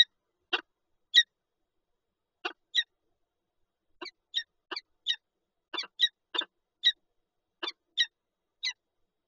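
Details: ['Peregrine falcon pair at their nest with an egg in Lublin, 19 March 2022: short sharp chipping notes, spaced irregularly at first, then repeated about twice a second, mixed with dry scratchy clicks.']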